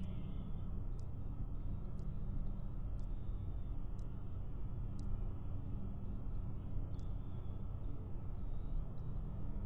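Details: Deep low rumble with faint regular ticks about once a second; no animal sound is heard.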